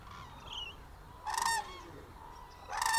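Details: Hooded crane in December 2024 at the Izumi crane observation centre, Japan, travelling as a family of three with a young bird, giving two loud, ringing, rasping calls about a second and a half apart over faint distant calling.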